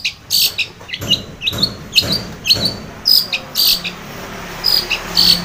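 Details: Energetic long-tailed shrike song, used to spur a silent shrike to sing: chattering harsh notes alternating with high clipped whistles, delivered in a steady rhythm of about two per second.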